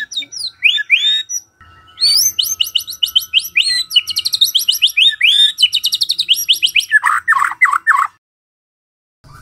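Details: White-rumped shama song used in the morning to provoke silent shamas into singing: a rich run of whistled and chattering notes, many fast repeated rising and falling phrases, ending in lower slurred notes.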